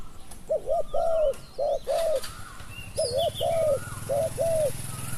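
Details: Spotted dove cooing during decoy luring of a wild dove, described as having a small voice: four two-part phrases, each a short double note followed by a longer mellow note, with small birds chirping high in the background.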